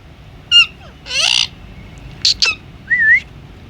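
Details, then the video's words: Pet Indian ringneck parakeet vocalizing. Short rising whistles and a loud harmonic squawk, then a quick double chirp and a final wavering upward whistle, over quiet room hum. "Talking parrot video😱# Indian Ringneck parrot video"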